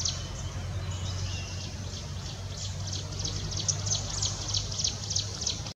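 Jungle prinia singing: a thin, high run of quick repeated notes, about three a second, over a steady low rumble.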